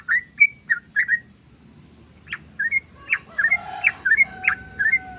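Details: Rapid ropel song of a yellow-vented bulbul played as a lure for wild birds: clusters of bubbly, slurred chirps, a brief pause near the middle, then a renewed chattering burst.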